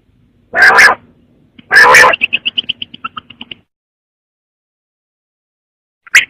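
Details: Quail giving two loud harsh rasps followed by a fading series of small ticking notes, then a long silence and one final short rasp.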